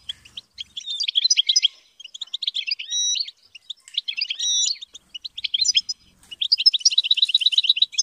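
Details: European goldfinch trained to sing in captivity, alternating twittering bursts with drawn-out pure whistled notes, short pauses between phrases, and a quick buzzy trill closing the passage.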